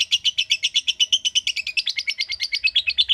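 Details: Ngekek trill from a lovebird: a continuous run of shrill, rasping chirps at roughly eight per second, holding a steady pace for over three seconds.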